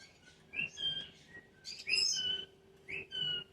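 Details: Pet cockatoo chatting with its owner indoors: short rising whistled chirps and higher squeaky notes in bursts about once a second, with soft background hum.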